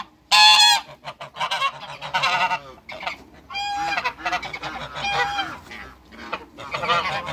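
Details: Loud, brassy honking from a couple of African geese in a backyard shared with other waterbirds; rapid harsh calls follow one another in choppy bursts, with softer lower clucks between them.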